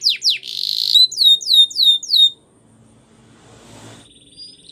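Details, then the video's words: Belgian canary training song: two falling notes, a brief buzzy roll and five looping upslurred whistles over about two seconds, followed by near silence with faint low noise and a quiet distant trill. "The Most Magical Training Belgian Canary"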